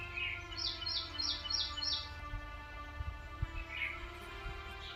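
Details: Bulbul nestlings, aged between 1 and 15 days, give a quick run of five high, thin chips, with a few lower squeaky notes around them, over a steady droning hum and low rumble.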